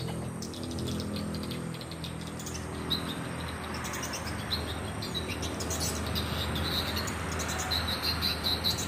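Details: Around 200 swiftlets inside a swiftlet house in Pasangkayu, Indonesia: a dense wash of faint, high chirps and clicks over a steady low hum.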